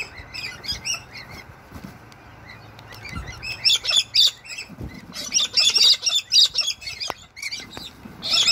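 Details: Galah, a wild pink cockatoo in Toowoomba, Australia, calling as rain falls: rapid, harsh, high screeching notes in uneven runs, louder bursts packed together toward the end, with steady rain hiss beneath.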